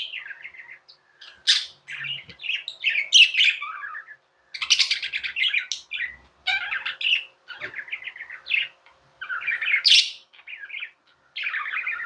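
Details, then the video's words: Tame pet budgies warble and chatter in a long, busy stream of scratchy chirps and high squeaky notes, grouped in bursts with brief gaps, in a quiet indoor setting. "Budgies | Talking | Singing | Chirping sounds"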